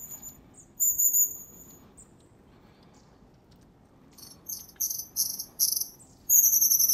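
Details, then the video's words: Winter flock of wild long-tailed tits, January, Zvenigorod Biological Station, Moscow Region: a high thin note, silence, then a quick series of short buzzy high calls ending in a long sustained piping note. "Длиннохвостая синица. Long-tailed Tit. (Aegithalos caudatus). Январь. January."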